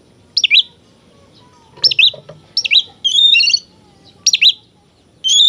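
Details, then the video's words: Oriental magpie-robin song, used to make other magpie-robins aggressive. Short high whistled phrases come in bursts about a second apart, some with quick chattery twists. A faint low rumble runs underneath. "suara burung kacer gacor ini paling ampuh buat terapi burung kacer agar emosi"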